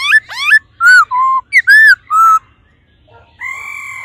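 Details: Female laughingthrush stimulating a male with 'ro ro' calls: short rising whistles and clear arched slurs in quick succession, a brief quiet spell, then one long, even, humming tone.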